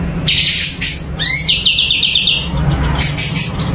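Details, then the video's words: Sumatran leafbird, called cucak cungko, singing actively: an upward sweep, then a fast bright trill of repeated notes lasting about a second, with broad noisy bursts and a steady low hum throughout. "Cucak Cungko Super Gacor"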